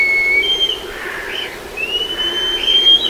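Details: Black kite recorded in Kemerovo uttering long, thin, drawn-out whistles with a slight quaver, one ending then another rising in after a short pause.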